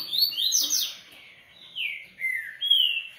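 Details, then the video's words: Singing double-collared seedeater: a quick run of bright sweeping whistled notes, a short lull, then three loud slurred whistles, the last rising then gently falling. "Coleiro Artilharia"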